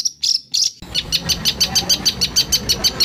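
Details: White-rumped shama harsh bursts for training songbirds: a few sharp high notes, then a steady series of bright, clipped chips, about four each second.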